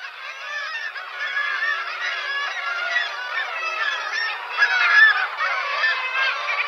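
Black-legged Kittiwakes in a busy chorus: many nasal, wailing calls overlap continuously, with a louder burst near the end.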